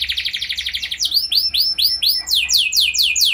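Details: Canary singing, used to lure other canaries into song: a rapid pulsing trill, then slower arched whistled notes, ending in quick descending sweeps.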